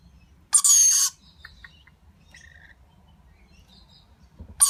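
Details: Lorikeet chick being fed by its parents, giving one loud harsh rasping begging burst about half a second long, then faint scattered chirps and another rasp starting at the very end.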